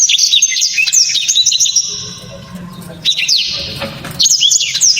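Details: Black-throated canary's hard, sharp song: fast high chirping and downslurred whistles, a lull with soft background murmur, then renewed quick bursts of twittering notes.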